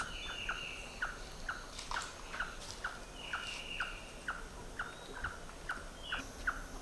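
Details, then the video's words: In Panama's Gamboa rainforest along Pipeline Road in March, a White-tailed Trogon in a mixed trogon group gives a steady run of short cluck-like notes, about two per second, tail flicking with each call; buzzing insects and distant birds in background. "thought it was funny how it was flicking its tail in time with its calls."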